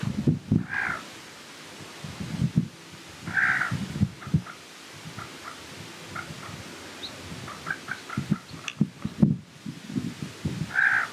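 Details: White-tailed ptarmigan (Lagopus leucura), call.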